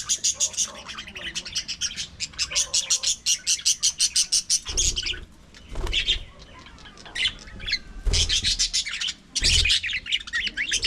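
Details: Colony of aviary budgerigars: a fast run of rapid repeated high chirps for about four seconds, then scattered squawks and warbles broken by low thumps, possibly wingbeats.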